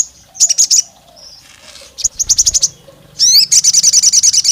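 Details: Olive-backed tailorbird, a female calling the male, used to provoke rival males: short bursts of sharp, high, rapidly repeated notes, a brief rising sweep, then a longer fast trill of bright chips near the end.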